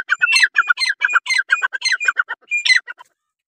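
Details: Francolin uttering a quick, rhythmic chain of clipped, croaking notes, about five per second, ending with a higher pitched note.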